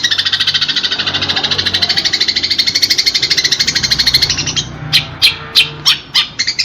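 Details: House sparrows fighting, recorded for training pet birds; dense rapid chattering notes pulse about three times a second for four seconds, then break into separate sharp, loud chirps.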